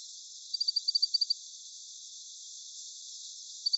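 Indian bush lark giving a quick run of about nine high, thin, clipped notes, then a short pause and two more notes.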